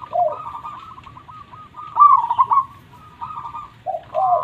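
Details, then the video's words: Local zebra dove (perkutut) in Indonesia, singing to encourage idle birds or lure wild doves. Softer overlapping rolling coos with a louder burst mid-way and low, falling notes at the start and end. "Perkutut Lokal Gacor Suara Super besar"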